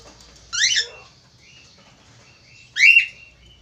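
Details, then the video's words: A male Australian finch in full song, used as a tutor recording for lazy birds, gives two harsh, nasal chirps over two seconds apart, each a short descending sweep, with faint thin twitters between them. "FALK AUSTRALIA JANTAN GACOR"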